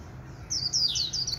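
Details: Caged white-eye owned by a neighbour, singing in the warbling líu style: a half-second of background hum, then a quick run of very high, thin slurred notes chained together.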